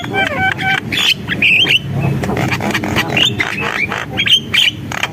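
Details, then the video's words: Javan myna singing in energetic gacor style: scratchy chatter, clicks and short whistled slurs, with a low background murmur throughout. "JALAK KEBO GACOR, SUARA JALAK KEBO"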